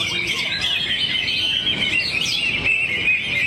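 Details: Greater green leafbird, a kept songbird, pouring out a rapid, continuous high warble of chirps and short whistles without pause.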